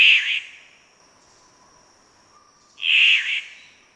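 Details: Victoria's Riflebird in Far North Queensland rainforest gives its raspy breeding-season call: two harsh bursts about three seconds apart, each under half a second long, over a faint steady insect hum.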